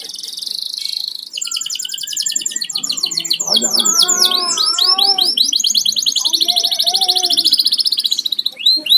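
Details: Pet canary kept at home, singing a long varied song of fast high trills and repeated downward-sweeping whistled notes, with rolling phrases and a buzzy stretch near the start.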